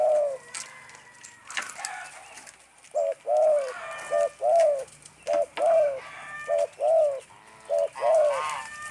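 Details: Stuttering 'gagap' call of a spotted dove: low, husky coo notes repeated steadily throughout, grouped in irregular short bursts of clipped and longer coos, with occasional clatter and faint rustling behind.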